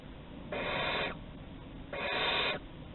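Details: Two long, breathy barn owl screeches, each lasting over half a second, from the Théding owls on 11 August 2020 as they explore a corridor, over a low steady background hum.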